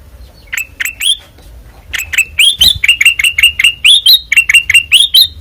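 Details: ['White-eyed ruby-throated bulbul (kutilang emas) in open ngeplong song: a few scattered rising whistles, then a dense, rapid stream of bright, clipped whistled notes.']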